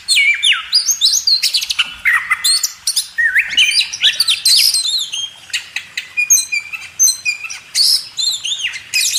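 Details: Oriental magpie-robin (kacer) song used as a training recording for cage birds: a loud, varied run of rich whistles, rising and falling slurred notes and quick chattering phrases, almost continuous.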